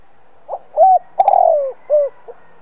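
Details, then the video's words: A spotted dove kept as a decoy coos to stir other doves into calling, one full phrase of a short note, a clear coo, a long buzzy descending coo, a falling coo and a brief closing note. "Chim cu gáy mồi cây gáy gọi kích bổi tập mồi căng lửa. Cu đất gáy kích bổi."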